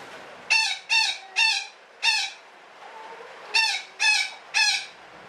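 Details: Parakeet (betet) in a long 'ngekek' chatter: seven rasping squawks, four then three in quick clusters separated by a short pause, each rich and buzzy; soft hiss throughout.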